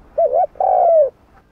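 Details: Spotted dove in the 'hạp bổi' voice, a coo for stirring other doves: a wavering two-part low note followed by one long, full coo that slowly drops in pitch.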